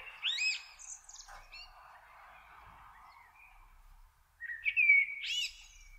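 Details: Common kestrel, recorded in June 2024 while the male prepares food for his family: sharp harmonic call notes at the start, a quieter stretch, then a loud run of upslurred and wavering notes near the end.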